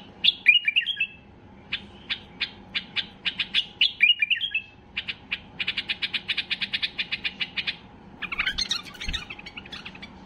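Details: White-eared bulbul at peak excitement, its song meant to make other bulbuls sing: opens with bright warbled phrases, then spaced chirps, then a fast, even rattle of notes and a burst of scratchy sounds.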